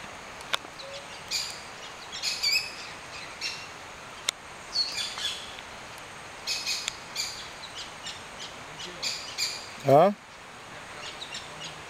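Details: Azuero parakeets (Pyrrhura eisenmanni) at a farm in Flores, Veraguas, Panama, near the Cerro Hoya hill forest, give scattered harsh, screechy chattering calls in short bursts every second or two, fairly distant, with one brief lower voice-like sound near the end.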